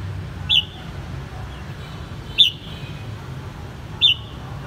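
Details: Red-whiskered bulbul kept caged in Saigon, Vietnam, reared since its white-cheeked stage, repeats a single crisp, downslurred whistle three times, roughly every one and a half to two seconds, over low rumbling noise.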